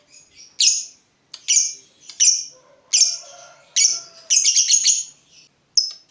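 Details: Lovebird of fighter type, agitated at seeing a rival: sharp high chirps in short bursts about every half second to second, a rapid cluster near the end, with a faint low tonal sound in the background.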